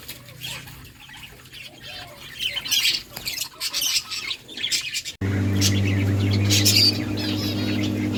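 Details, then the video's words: Playing budgies in a breeding colony chatter in sharp high chirps and squawky bursts that come quickly. Halfway through, a loud steady low hum sets in and continues to the end. "Budgies playing and chirping"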